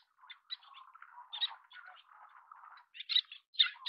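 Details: Little tern, Sternula albifrons, at the chick-feeding stage: a low, soft, mushy chatter runs through the middle, followed by sharper, high-pitched calls that grow louder toward the end.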